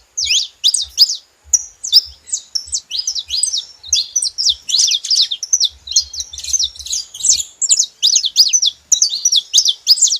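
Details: Bursts of saffron finch chirping: spaced high notes at first, then increasingly dense runs of quick, slurred tweets, with occasional soft low clicks.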